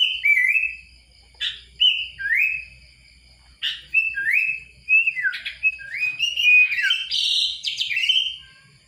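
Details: Sooty-headed bulbul (kutilang) singing bright, clear whistled phrases: short slurred notes that dip and rise, delivered in quick bursts separated by brief pauses, with sharper buzzy, higher notes crowding together toward the end.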